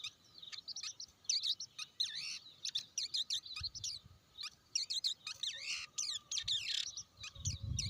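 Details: Rapid, varied chattering of a blue-winged leafbird: bright high chips and slurred whistles in clustered bursts. A low rumbling noise appears briefly midway and again near the end.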